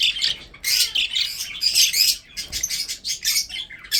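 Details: Pet budgerigars from a breeding setup, feeding, chatter in rapid scratchy chirps and squawks with short breaks and a soft low thump.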